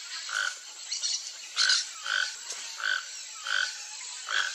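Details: Toco toucan couple in Brazil, foraging for fruit in riparian forest; hoarse croaking notes repeated roughly every 0.6 seconds, about seven in a row, over a steady high background hiss.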